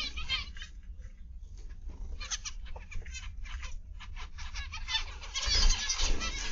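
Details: Zebra finches in an aviary on 29 November 2021, PM: a busy flock chorus of short nasal, honking beeps in overlapping bursts, with a steady low rumble underneath.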